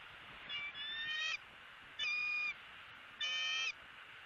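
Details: Bald eagles on a Southwest Florida nest camera, 28 January 2017, with a one-month-old eaglet attempting to self-feed on an opossum. Three short, bright whistled squeals, each under a second, spaced about a second apart.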